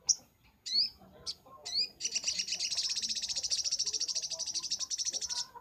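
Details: Sunbird singing on a master recording for training cage birds, in the rapid 'nembak' style: a few sharp upslurred chirps, then a fast, even, high-pitched trill lasting over three seconds.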